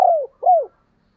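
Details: Spotted dove, recorded in 2022 and presented as thúc and gáy gọi calling styles, giving two soft mellow coos, each sliding gently downward, the second following after a brief pause, with clean silence behind.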